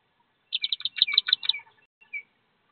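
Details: Thirteen wood duck ducklings jumping from a nest box about 15 feet up: a quick string of about eight bright, high peeps, followed after a brief gap by one softer, lower note.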